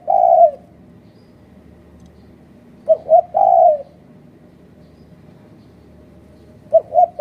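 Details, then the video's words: Spotted dove calling as a lure for bird trapping in Malaysia: a loud, clear coo, then after a pause a short hooted phrase of two quick notes and a longer coo, starting again near the end, with a quiet background. "Pikat Terkuku"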